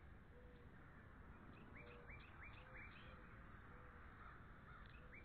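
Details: Rapid upward-sliding piping notes, about three a second, come from a pair of bald eagles at NCTC on 13 February 2013, over a steady low rumble.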